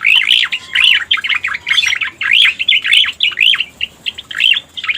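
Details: Lure track of the cica koreng (Striated Grassbird): loud, clustered bright chirps sweeping down and up, grouped in bursts about half a second apart, strong and clear.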